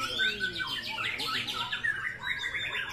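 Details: Murai batu, or white-rumped shama, singing in a sharp, piercing style: bright rapid chirps and quick trilled notes, then a clear high whistled phrase near the end, all densely packed over a brief stretch.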